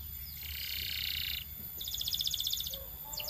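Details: A Belgian canary gives two bursts of fast rolling trill, then a few sharp notes, over a noticeable low hum of background noise.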